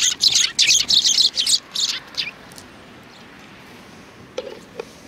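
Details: Several sparrows chirping, recorded on 2 January 2019: a rapid run of loud high chirps in the first two seconds, fading to scattered faint notes, then two soft knocks near the end.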